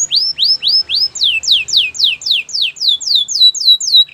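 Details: Loud, regular training song of a white canary: rising whistled notes give way to a long series of steeply falling sweeps, about four to five each second.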